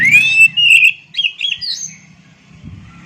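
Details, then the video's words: Oriental magpie-robin delivering a rich, rising whistled phrase that runs into warbled, slurred notes and fades into softer twittering, a faint low hum behind. "Jamin Kacer Bisu Langsung Gacor Dengar Suara Asli Kacer Ini"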